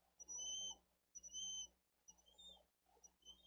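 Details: Bald eagle chick food-begging on a Dade County nest cam, 13 April 2023, as the adult tends the elder chick; four high, thin whistled notes, the first two strong and steady, the later ones softer, with nest rustling.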